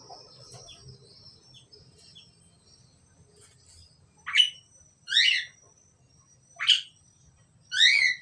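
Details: A pair of Asian pied starlings calling; after a few seconds of faint chirps, four loud harsh descending notes ring out about one second apart, each a rich downward slur.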